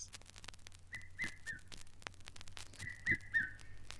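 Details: Red-chested Cuckoo in East Africa, called the Rainbird because its song is often heard in the wet season, giving its three-note whistled phrase, each note lower, sung twice about two seconds apart over soft clicking and crackling.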